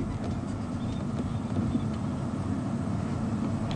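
Steady low engine rumble from a vehicle, with no animal calls standing out.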